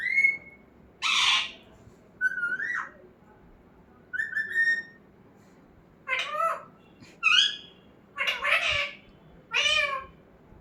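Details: Talking pet parrot indoors: short harmonic vocal bursts with wavering, speech-like contours alternating with pure whistled notes, spaced roughly one to two seconds apart in a quiet room.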